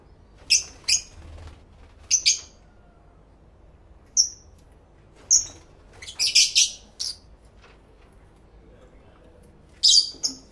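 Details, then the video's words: Pet lovebirds talking to each other, stereo live recording made with a camera fitted with two external microphones: isolated sharp, shrill chirps every second or two, a quick rattling cluster midway, and a final pair of squeaks. "1 Hour Lovebird Sounds High Quality Stereo Live Recording V3"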